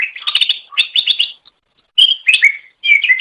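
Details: Green leafbird, known locally as cucak ijo, singing a master track for training birds: dense high chattering phrases with twittering notes, a silent gap, then sweeping whistles sliding downward.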